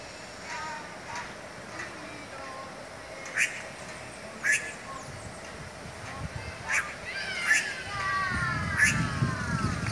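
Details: Red-rumped Caciques in a town square, where their nests hang suspended in the trees, give loud, sharp, ringing notes every second or two over a steady background hum, with low traffic rumble and faint voices.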